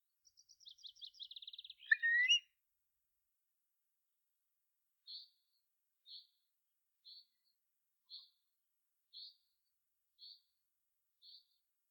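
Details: Eurasian curlew in Ireland: a quickening series of high notes runs into a rich upslurred whistle, followed by short soft notes repeated about once a second.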